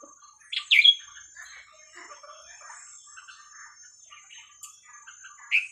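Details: Red-whiskered bulbul song in the hua krok khayao khuat style, played to teach young birds: a loud, quick whistled phrase of rising and falling notes near the start, faint chatter, another brief phrase at the end, over a steady high whine.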